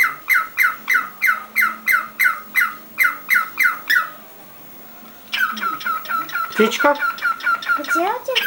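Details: Pet cockatiel squawking in rapid, regular shrill notes for about four seconds, then a short silence. Faster, rougher calls follow, mixed with some lower, sliding sounds near the end.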